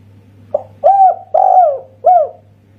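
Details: Spotted dove of the local Indonesian 'kuk satu' voice type delivering one phrase: a clipped lead note followed by three warm coos, the middle one longest and gently falling; low steady hum behind.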